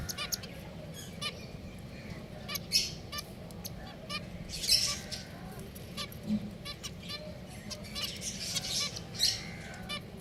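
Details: Several pet finches keep up a steady chatter of short, high chirps and squeaky notes, some in quick bursts, over a low background hum.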